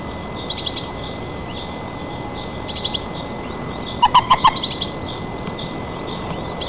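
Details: White-tailed eagle feeding its chick at the nest, Nizhnyaya Kama National Park, Tatarstan, 4 May 2024, recorded by nest camera: a run of about six loud, rapid yelping notes, preceded and followed by brief high twittering bursts from small birds.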